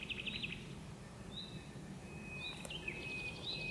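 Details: Nightingale hidden in birch bushes in the gloaming, with two birds singing, gives short buzzy trills, thin whistled notes and a sustained slurred whistle over steady low rumble.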